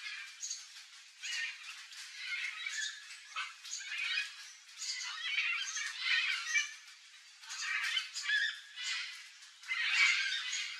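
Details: Red-and-green macaws on a ripe mango tree in the wild: repeated rough, grating squawks in irregular bursts over about ten seconds, mixed with thinner high chirps.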